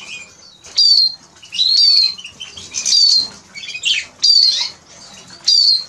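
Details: ['Eurasian siskin (Spinus spinus) singing: a series of high, drawn-out whistled notes that slur downward, repeated about once a second, with brief twittering between them.']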